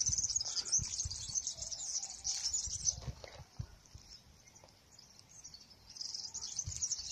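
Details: Wild European serins, several singing persistently near an olive tree: high-pitched fizzy, jangling trills in bursts with a short lull midway, plus low thumps and rustling.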